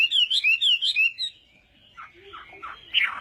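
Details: Chinese hwamei in a morning fighting song for voice training: a brief burst of sweet, rising-and-falling whistles, followed by a quieter gap and a few soft, blurred notes.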